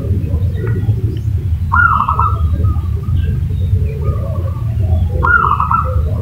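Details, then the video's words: Zebra dove lure call, played to make another bird answer: two rolling, bubbling coo phrases about three and a half seconds apart, with a constant low hum underneath. "pancingan perkutut 5 detik langsung nyaut"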